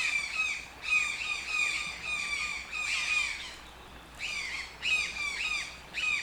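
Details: Harsh, buzzy toucan squawks, each note dropping slightly in pitch, repeated in a steady run, then a brief lull before more calls resume.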